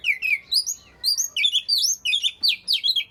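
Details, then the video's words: Oriental magpie-robin song played to get reluctant magpie-robins singing: rapid run of bright, sweet whistled phrases, sliding and warbling notes in quick bursts with short gaps, continuous and loud throughout. "burung Kacer yang males bunyi pasti ikut gacor 100%"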